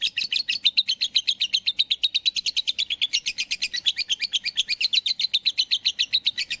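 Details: Bird chirping in a rapid, unbroken series of bright, high tweets, about seven each second, evenly pulsed and fairly constant in loudness throughout, with no other clear sounds.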